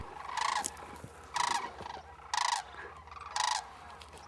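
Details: Sandhill cranes (Antigone canadensis), thousands arriving over Tucson, Arizona, on 6 November, give loud, rolling, trumpeting flight calls, four rattling bursts about once a second, over a low background rumble.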